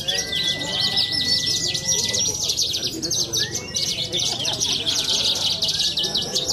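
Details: Young prize-winning contest bird from Cilacap city, Indonesia, singing a continuous, busy torrent of sharp high chirps and buzzy trills. Brief flat tones and faint low background murmur can also be heard.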